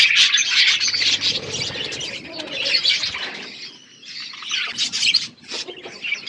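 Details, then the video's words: Budgerigars in a flock while eating: dense, busy warbling and chirruping from many birds, with brief quieter moments and sharp ticking notes. "Beautiful budgies flocks birds eating food"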